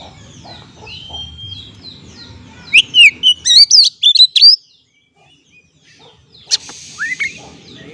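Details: Kacer lure song, an Oriental magpie-robin singing to trigger stressed birds: a long clear whistle, then a fast loud series of looping whistled notes, silence, and a few scratchy calls at the end.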